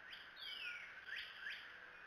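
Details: Bald eagles at the Decorah nest on 6 June 2018, a young eaglet shielding its sibling from gnats; loud thin whistled chirps slide steeply downward, one long call then two shorter ones, over a steady background hiss.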